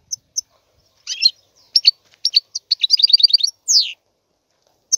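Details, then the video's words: European goldfinch singing: scattered bright, high twitters build into a quick run of tinkling notes, then a single descending slurred whistle, with silence between phrases. "تغريد طائر الحسون"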